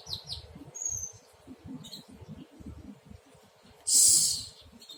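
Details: Konin practising its song as a young bird: a few thin high chirps and a short whistle early, then a loud harsh rasping burst near the end, against low background rumble.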